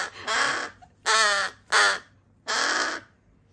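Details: Three rescued crow chicks, siblings found abandoned in a garbage bag, on rescue days 26-27 and grown quite noisy: four loud, harsh, raspy caws of about half a second each, spaced unevenly, indoors.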